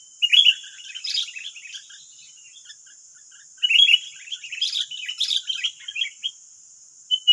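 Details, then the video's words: Several wild sooty-headed bulbuls, nine birds responding to one decoy bird in West Lampung, Indonesia, chatter noisily in clustered bursts of quick chirps and whistles, with a lull midway and a steady high whine behind. "BERISIK AJA || 9 Burung Liar Lawan 1 Pikat || Kutilang"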